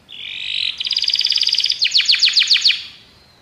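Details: A Belgian canary used for training sings a brief phrase: a steady whistle, then a fast even pulsing trill, ending with sharp descending notes repeated about five times a second.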